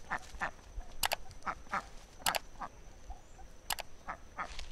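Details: Muscovy duck uttering repeated short, nasal quacks at irregular intervals, mixed with sharp clicking or tapping sounds.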